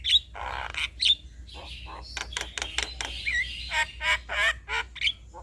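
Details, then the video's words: Male Javan myna song used to draw responses from other mynas, a jumble of harsh squawks, rasps, clicks and short whistles at an uneven pace over a low hum. "Pancingan Segala Jenis Burung Jalak Sekali Putar Ocehan Jalak Kebo Jantan Ini Pasti Langsung Respon"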